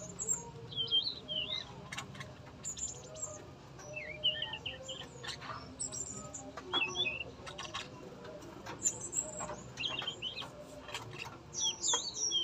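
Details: Energetic singing from a tame male yellow-rumped flycatcher kept in a breeding cage: repeated high whistled slurs and twisting phrases spread through the recording, with frequent sharp clicks and a faint low hum.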